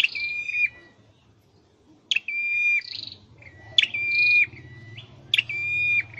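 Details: Caged scarlet-headed flowerpecker in song training. It gives clear high whistled phrases: a short upward flick into a long, level, pure note, then a brief buzzy burst. Phrases are spaced about every one and a half seconds, with a low steady hum underneath.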